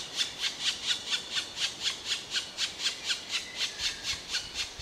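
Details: Repeated grating calls of a black woodpecker, bright and buzzy, spaced about half a second apart in an even run lasting the whole stretch.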